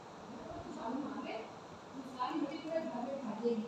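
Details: A pet Indian ringneck parakeet talking in short, speech-like phrases with clear vowel tones, perhaps words like mummy and papa, in a small indoor room.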